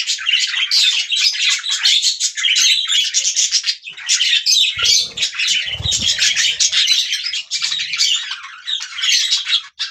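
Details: Several budgerigars chatter continuously in dense, scratchy warbles and squeaky chirps, their calls overlapping, with a few low thumps partway through.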